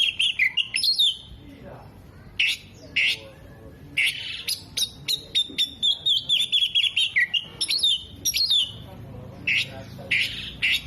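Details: Oriental magpie-robin performing mimicry of hummingbird, bearded bird and lovebird: bursts of sharp chirps, then a long rapid run of clipped whistled notes with wavering pitch, ending in harsher chattering phrases.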